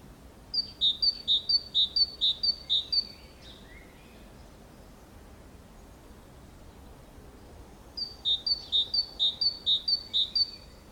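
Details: Great tit (Parus major) singing beside a nest box in Valencia on 24 April 2015: two bursts of its ringing two-note 'teacher-teacher' phrase, about six quick repeats each, separated by a pause; faint background hiss.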